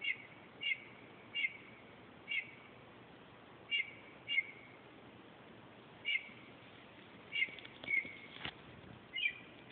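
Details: Northern mockingbird singing at night around 2:30 am: short bright chirped notes near the upper register, repeated irregularly every second or so, with a steady background hiss.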